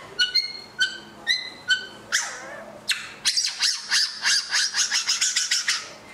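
A White-rumped Shama gives four clear, ringing notes about half a second apart, then a harsh burst and a fast run of scratchy, chattering notes.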